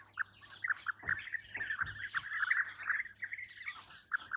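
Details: Separate short rolling 'prruip' notes from European bee-eaters, about two a second, some overlapping, over a faint low steady hum and a couple of soft thuds.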